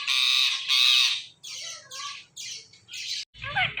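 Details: Male pet ringneck parrot, watching its own videos, gives a run of about six harsh raspy squawks in quick succession, separated by brief gaps, closing with a rougher, lower burst.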